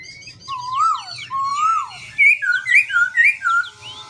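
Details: Continuously varied singing from a black-throated laughingthrush: two long low sliding whistles, then a quick sequence of brighter, higher looping notes repeated four times, with faint hum behind.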